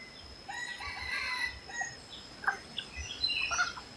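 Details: Red junglefowl (Gallus gallus) crowing faintly: a harmonic, drawn-out phrase from about half a second to one and a half seconds, followed by scattered soft chirps of other birds against steady hiss and a thin high insect-like tone.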